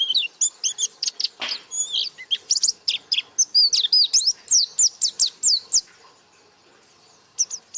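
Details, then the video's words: White-eye singing in the lively buka paruh style: rapid bursts of high, sharp whistled and twittering notes strung together for about six seconds, then a pause and a final short burst. "Burung Pleci Gacor Buka Paruh"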